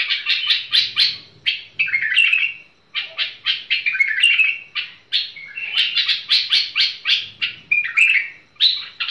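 A bulbul sings a fast, continuous run of bright, chattering whistled notes, with short bursts repeated about twice a second and brief pauses between phrases.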